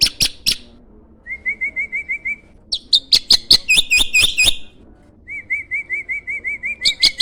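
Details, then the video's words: Starling rated a champion and used as a master recording for songbird training: sharp clicks alternate with a rapid run of evenly spaced, rising whistled notes, a dense burst of chirps, then the whistled series again. "MASTERAN BURUNG JALAK SANG JUARA!!"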